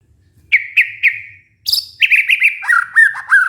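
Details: White-rumped shama lure song, played to coax a stressed, silent shama back into singing and breeding condition: three clear, slightly falling whistles, then a burst of rapid, ringing notes and lower slurred whistled phrases. A faint low hum runs underneath.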